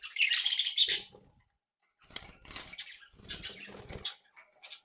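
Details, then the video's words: Breeding group of captive budgerigars playing and interacting: a loud burst of scratchy high warbling, a short silence, then rougher chattering mixed with rustling and fluttering. "Periquitos Australianos traviesos activos y juguetones 🧶🎡SONIDOS para periquitos solitarios"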